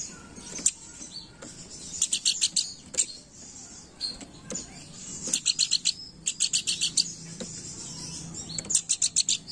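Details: Planduk Bukit singing actively in a chattering style, used as a lure call: bursts of rapid, high, sharp chirps repeated in quick runs of five to eight notes, with pauses between bursts and a faint low background hum.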